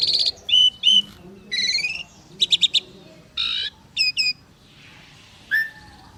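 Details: Asian pied starling pair duetting with scattered bursts: bright whistled notes, grating buzzy phrases, and a quick trio of clicky chips, separated by short quiet gaps.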